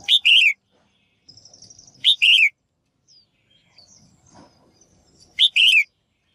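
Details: Female bird's calls intended to make males sing actively: three loud double-noted phrases at irregular intervals of two to three seconds, a short high note then a wavering lower one, with faint thin high whistles between.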